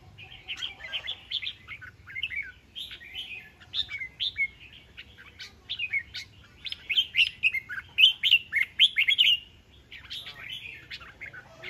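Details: Decoy red-whiskered bulbul displaying, delivering a long, lively series of short whistled and chirpy warbles, roughly three or four notes per second, growing louder toward the middle before a brief pause and a final few notes.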